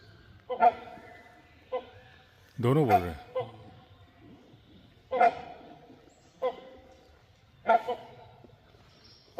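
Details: One of a perched pair of Great Hornbills in forest near Jim Corbett National Park, Uttarakhand, India, gives loud, harsh, barking notes about one every one to two seconds, with a man talking over them.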